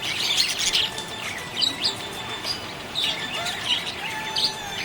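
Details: Happy budgie chirping in bursts: clusters of scratchy high chatter separated by short pauses, plus soft sliding whistles, continuing through the whole recording.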